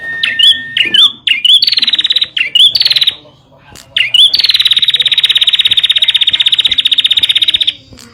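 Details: Song of a bar-winged prinia, played for prompting and training caged birds: a few short twisting whistled notes and brief rattles, then one very long, fast, buzzy trill sustained for over three seconds.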